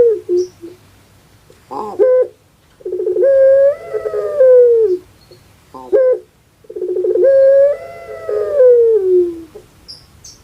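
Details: Captive puter pelung dove of Java, Indonesia, sounding like a crying baby: two cycles of short stuttered notes followed by a long rising-then-falling wailing coo, about four seconds apart.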